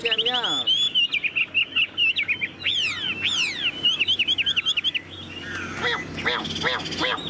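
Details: Tame hwamei in its cage pours out fast, looping whistles, then a quick series of downward-sweeping notes, ending in softer, buzzier phrases mixed with faint clicking.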